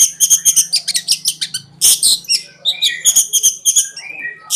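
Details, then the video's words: Long-tailed shrike training song: clusters of sharp chirps and buzzy squawks, brief pauses between bursts, some whistled notes, a low hum at the start. "RAJANYA CENDET,GURU VOKAL ANDALAN,CENDET KONSLET TIADA TANDING"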